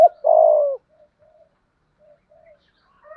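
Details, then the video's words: Spotted dove calling to lure males in 'thổ' voice: one long, rough rolling coo that slides downward, followed by several faint soft coos and a few distant higher notes at the end. "Tiếng cu gáy giọng thổ gáy gọi, cu gay kich boi nhanh noi gù"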